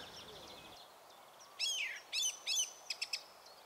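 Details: A song thrush sings loud, bright, dynamic phrases, repeating strophes several times: a slurred whistle, a pair of matching repeated phrases, then three quick sharp notes, with fainter twittering before it.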